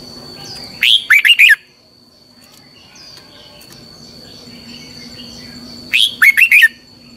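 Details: Red-whiskered bulbul training song, the long twisted double voice. Two loud phrases about five seconds apart, each a rising whistled note followed by rapid, twisting chirps. The gap between them holds only faint background noise and a constant thin tone.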